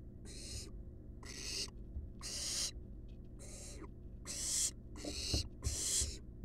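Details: Barn owl chicks, wild, resting together in a monitored nest box: seven loud, scratchy snore-like hisses in quick succession, a few faint clicks, and a low steady hum.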